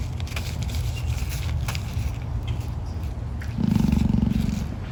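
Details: Emu at an animal park making a threatening, dinosaur-like snorting noise; rough low rumbling throughout with scraping sounds, ending in a louder, steadier low drumming buzz.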